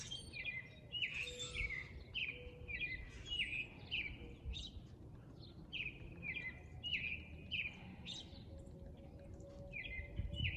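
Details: Male grackles displaying, giving shrill notes: short squeaky whistled calls with upward slides, repeated in quick irregular bursts through the recording, several birds overlapping, over a low rumbling background noise.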